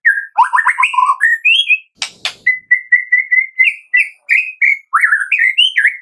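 White-rumped shama singing a varied run of rich whistled phrases, fluty rising and falling notes and quick trills, with a brief noisy burst midway.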